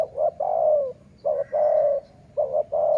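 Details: Cooing of a decoy dove of the sai muang line: a steady run of paired short notes each answered by a longer, evenly held, slightly falling coo, repeated three times close together.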